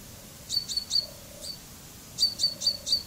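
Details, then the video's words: Common chaffinch (Fringilla coelebs) with two quick runs of three or four sharp high notes, separated by a pause, over a faint low tone. "Canto del Pinzón Común"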